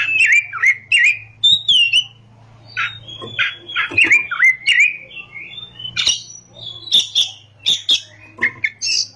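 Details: Oriental magpie-robin in active ngerol, nembak song: rapid, continuous chains of downslurred whistles and crisp chips, notes tumbling almost every quarter second, with a faint low hum behind.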